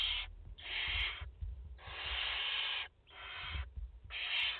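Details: Barn owl mother with four chicks at the nest in France, 30 August 2021, live nest view: harsh, hissing screeches in long bursts of about a second, repeated with short gaps, low thumps and rustling beneath.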